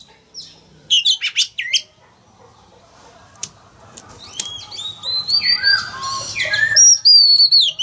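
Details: Male Oriental magpie-robin singing to provoke a young wild-caught bird to open its beak and sing. Scratchy notes and wing-flap rustles come first, then a rising run of clear whistles closes the passage.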